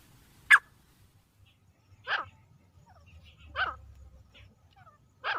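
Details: Teetar, the partridge, giving single sharp descending calls about every one and a half seconds against a quiet background with a faint low hum.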